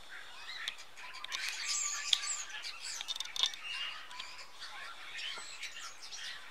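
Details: Common starlings, about twenty, massing in tall fir trees in Denmark's Jutland in autumn, eating berries before the journey south. Dense, busy chatter of squeaks, whistles and clicks, loudest in the middle.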